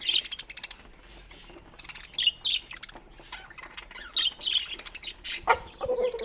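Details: Pet budgerigars chattering: bursts of fast rattling chirps and squeaky warbles, with pauses between, sharp clicks and a few lower squawks near the end.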